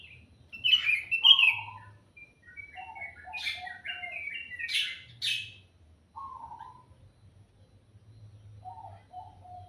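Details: A bird sings in the morning: sharp high chirps and short whistled phrases separated by brief silences, some notes dropping lower, over a faint low hum.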